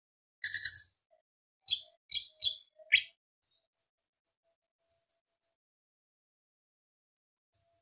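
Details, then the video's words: Greater green leafbird singing as a lure to provoke other birds: a handful of sharp, harsh high notes, then a run of faint thin whistles and a final high note after a pause. "PANCINGAN CUCAK IJO BIAR EMOSI ~ CUCAK IJO GACOR FULL ISIAN ~ Tembak Beset Roll Panjang"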